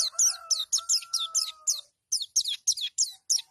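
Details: Oriental white-eye singing in the 'nembak' style, said to make rival white-eyes back down at once: rapid run of sharp, high, descending chirped notes, about three per second, with a short break midway and a faint steady tone beneath.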